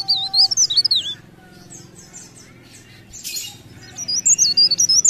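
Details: High, wavering leaf warbler warble with rapid looping notes, then a quiet spell broken by a short rustling burst, before the thin sinuous song resumes.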